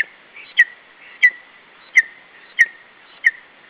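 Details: On a nest in Estonia on 21 July 2012, a lesser spotted eagle chick protects its food from a parent. It gives sharp clicked onsets into short whistled peeps, about five evenly spaced in under four seconds.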